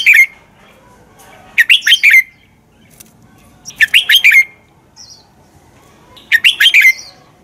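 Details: Red-whiskered bulbul fighting song, used as a lure to train other birds: three short bursts, each four or five rapid whistled, warbling notes ending in a falling slur, spaced about two seconds apart, with quiet between.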